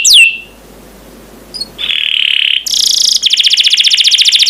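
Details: Canary on a master recording for training: a single falling whistle, a long quiet pause with low hum, a faint note, then a steady buzzy tone, a harsh burst and a quick roll of repeated notes.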